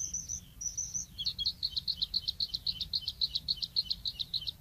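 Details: Bluethroat in song at Woumen, 2018: two high buzzy phrases followed by a long fast series of ringing repeated notes, about three or four per second, clear over faint low noise.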